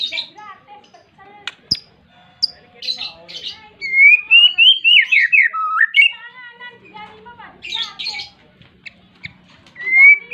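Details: White-rumped shama, a persistent, vigorous singer calling out to a rival, used to provoke other shamas into singing; varied whistled phrases, a long warbling run sliding from high to lower pitch, sharp chips and bursts of notes.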